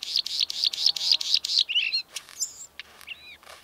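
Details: A Bluethroat of the red-spotted northern form in Karkonosze National Park sings a quick run of about seven high, metallic repeated notes, then breaks into varied squeaky whistles and buzzy twangs.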